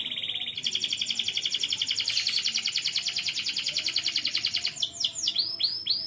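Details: Canary training song for young canaries: long continuous rolling trill, very dense and buzzy, held for several seconds before changing into a few loud sweeping arched notes.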